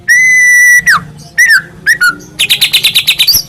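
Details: Morning white-rumped shama song played to encourage a pet bird to sing: a long level whistle, downslurred and rising phrases, then a quick rattling series of high notes.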